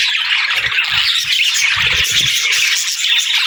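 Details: Budgerigar twittering, a continuous busy warble of squeaks and chirps, with a series of low muffled thumps between half a second and two and a half seconds.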